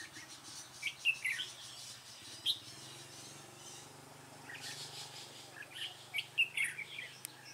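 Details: Red-whiskered bulbul at a trapping site: scattered short bright chirps and warbled notes in two bursts, near the start and again after the middle, with quiet gaps and a faint low background hum.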